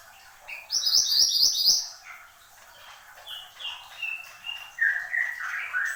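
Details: Mantenan gunung, or Horsfield's babbler, in lively song: a short fast burst of very high chirps, then a string of separate clear whistles stepping downward, and finally louder lower buzzy slurred notes.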